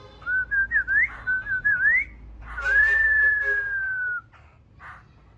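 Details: Newly wild-caught laughingthrush singing: a quick run of short, looping whistled notes rising and falling at a similar pitch, then a long, clear, steady whistle drifting slowly downward for about one and a half seconds, followed by faint brief notes.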